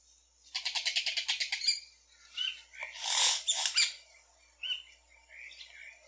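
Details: Yellow-rumped cacique song opening with a rapid even series of about a dozen clicking notes, then a broad harsh rasp, scratchy notes and scattered soft whistles.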